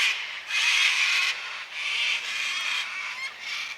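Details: Cockatoos calling around 5 pm on a quiet Sunday afternoon in daylight saving time: rough, strident screeches in long bursts of about a second, rising and falling in loudness, with overlapping callers.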